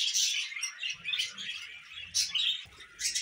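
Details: Short pet budgie warble: buzzy twittering with three sharp bright chirp bursts, over faint low sounds.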